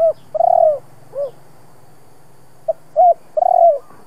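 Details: A spotted dove, kept as a Vietnamese decoy bird, gives soft, mellow coos, each note gently arched, in short uneven phrases with brief pauses, over a faint low hum.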